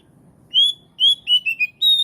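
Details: Oriental magpie-robin song meant to make other magpie-robins answer: loud, pure whistled notes, a long steady one, then a run of short descending whistles and a final sustained note.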